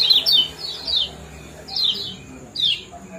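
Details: Lemon-bellied white-eye ciak calls, meant to stimulate breeding condition: a few sharp high downslurred chirps, two close together at the start, then single notes spaced about a second apart over a quiet background.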